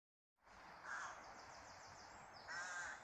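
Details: Bird outdoors in nature: two harsh, hoarse cawing calls about a second and a half apart, over a steady airy background hiss.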